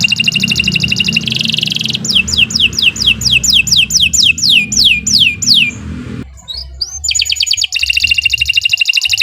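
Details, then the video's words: Long canary song used as a tutor for other birds: a rattling trill, then about ten descending whistled sweeps in quick series. After a short gap, bright buzzy trills return over a steady low background rumble. "Kicau Burung Kenari 153 II LUAR BIASA GACOR PANJANG"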